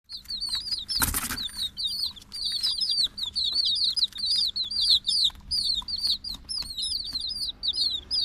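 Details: Chicken chicks peeping: many high, thin, down-slurred peeps overlapping in a constant chatter, with a brief loud rustling burst early on and a low background hum.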